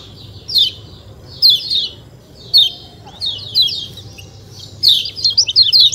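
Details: White-eye (kecial kuning) calling outdoors in 'ciak ciak' style: sparse pairs of sharp, high downslurred chirps separated by pauses, ending in a quicker cluster of twittered notes, low steady hum underneath.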